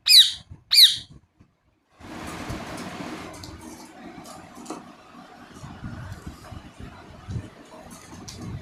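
Two loud, harsh, high chirps from a rose-ringed parakeet come quickly one after the other, and low indoor rumble and faint noises follow.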